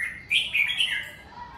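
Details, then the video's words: Red-whiskered bulbul singing 'ché' style at home during covid season: one brief, loud, clear whistled phrase of slurred rising and falling notes, fading into a soft low whistle. "Mào ché tự nhiên tại nhà mùa covi"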